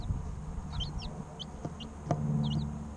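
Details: Three-week-old chicken chicks chirping, a few short, high, downslurred peeps scattered across the moment over a steady low mechanical hum.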